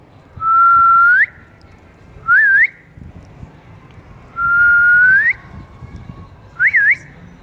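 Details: In cool weather a pet ring-necked talking parrot repeats a two-part whistled phrase twice: a sustained level tone rising sharply at its end, then a brief zigzag whistle, in a quiet setting.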